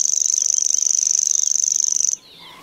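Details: Common grasshopper warbler singing a dry, high-pitched, insect-like reel: an even stream of very rapid ticks held steadily for about two seconds, then cut off abruptly, leaving only faint, quiet background sound.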